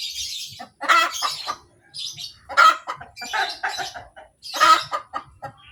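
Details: Cackle of a hen that has just laid an egg, known locally as berkotek: bursts of rapid clucks, with a strident, rasping squawk about every two seconds and a brief lull midway.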